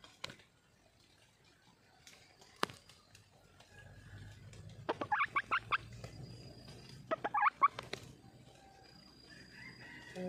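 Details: Red junglefowl calling for a mate, crowing twice about two seconds apart: each crow a quick string of choppy, harsh notes, with faint clicks, low rumble and a distant high call in the background.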